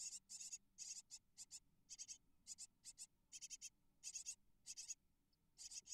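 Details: Hungry brood of eight great tit nestlings being fed in a nest box in Israel, spring 2022; shrill high-pitched begging comes in short, separated bursts of rapid squeaky notes, repeated roughly every half second.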